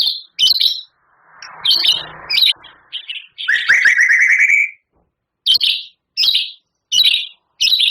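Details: Vigorous White-rumped shama song with mimicked canary, cililin and lovebird phrases. Short harsh buzzy bursts alternate with pauses, with a soft rustle in the background, then comes a quick rising trilled run and more separated rasping notes.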